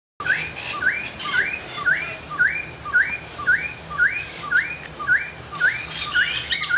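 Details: Blue-billed curassow at Cali zoo giving a steady series of short, upslurred squawky whistles, about two per second, over a faint low background hum.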